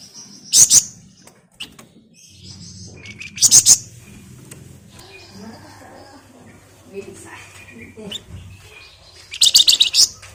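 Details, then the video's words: Scarlet minivet song meant to lure other birds into singing: three short bursts of shrill, rapid high chirps spaced about three seconds apart, with low murmuring voices and a steady hum underneath. "Burung Flamboyan Gacor Ngebren Rapat Nyerecet Nyiul Cocok buat Pancingan"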